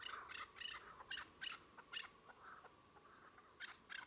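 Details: Chukar partridges, plural, uttering clipped chuck notes roughly twice a second, a brief pause midway before the series resumes with paired notes; light background hiss only.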